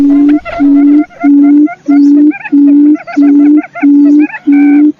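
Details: Quail calling as a lure: eight low, sustained hoots, each about half a second long, evenly spaced with short gaps, with fainter chirping notes above them.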